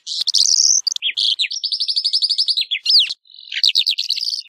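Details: Calandra lark song: a rapid, unbroken stream of high chirps and trills, with a fast rattling run of repeated notes, sharp downslurred whistles and buzzy phrases, no other sounds.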